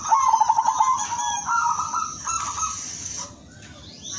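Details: Silver zebra dove singing with a melodious voice: a quick stuttered run of low pulsed notes, then two longer level cooing phrases slightly higher. A steady high whine runs behind throughout.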